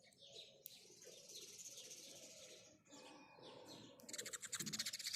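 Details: Morning chirping of house sparrows, a dense run of sharp high chirps repeated about four times a second, ending in a louder burst of fast rattling notes, with a low hum beneath.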